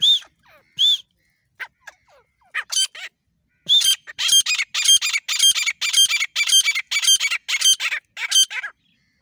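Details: Grey francolin, desi partridge, male and female: scattered ringing notes and soft chatter open, then a long fast series of loud, harsh, repeated squawking calls about two per second.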